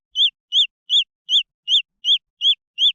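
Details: Eight clear, high arched peeps from green junglefowl chicks, spaced about every third of a second, loud and clean with nothing else heard.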